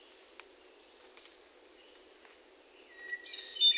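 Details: Hermit thrush recorded June 29, 2023 in Sudbury, Massachusetts with a Sony PCM D50 and lavalier mics; after scattered soft ticks, one phrase begins with a pure sustained whistle and rises into a loud, rippling flourish of high flutelike notes.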